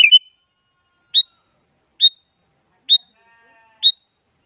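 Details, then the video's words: Sooty-headed bulbul, a bird often used as a lure call to make quiet bulbuls answer, gives five short, sharp, high chirps, about one per second, against a quiet background. "Suara Burung Kutilang Selalu Dicari Buat Pancingan Jadikan Kutilang Diam Ikut Nyaut"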